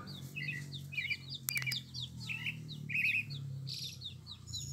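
Pale-breasted thrush singing a rapid run of short, varied whistled phrases with chirpy slurred notes, over a low background hum and a brief clicking noise.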